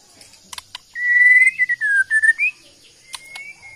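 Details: White-rumped shama of Bornean origin from Kalimantan, kept as a songbird, singing a long clear whistled phrase that wavers and dips before rising at the end, preceded and followed by short ticking clicks.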